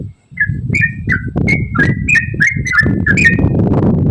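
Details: Brief stretch of a yellow-vented bulbul's rapid 'ropel' song, played to prompt other bulbuls to sing: about ten quick slurred whistles in a row, against fairly loud low-pitched background noise.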